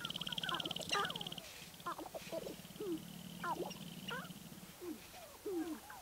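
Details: Sharp-tailed grouse calling at Baudette, Minnesota, with a group of short hooked cackles and sliding chuckles coming irregularly from several birds, over a fast pulsing buzz and a low droning hum.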